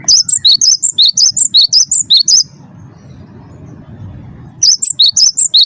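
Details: Lure recording of a first-place wingko cinereous tit singing nonstop: a long rapid run of piercing two-tone chips swinging between high and higher pitches, a pause over low hum, then the run resumes.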